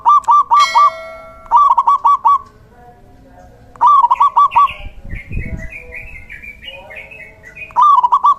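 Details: Male local zebra dove, singing actively as a lure and training voice for quiet doves, repeats clipped rolling phrases of four or five quick coos every couple of seconds. Higher chirping from another bird fills the pause between phrases.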